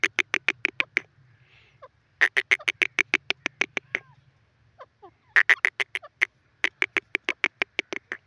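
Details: Grey francolin, known locally as teetar, calling in loud bursts of rapid, harsh, clipped notes, each series of about six to ten notes separated by brief pauses, over a faint low hum.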